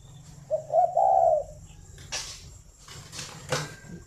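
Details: {'caption': 'Spotted dove from a breeding farm in Ba Vì, Hanoi, Vietnam, heard in the morning: one low, mellow three-part coo, two short notes then a longer held one. It is followed by several sharp clicks and rustling knocks.'}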